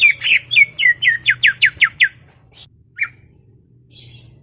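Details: Greater green leafbird, noted as chatty, pours out a steady series of about ten loud downslurred whistled notes, then a few scattered soft calls and a faint buzz in a garden setting.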